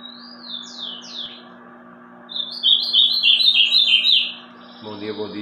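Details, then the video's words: Ultramarine grosbeak (azulão) singing in the Meia-noite style: a few soft slurred whistles, then a loud, rapid warbled phrase of high chirping notes lasting about two seconds, over a steady low hum, with a brief noisy burst at the end. "Azulão Meia-noite"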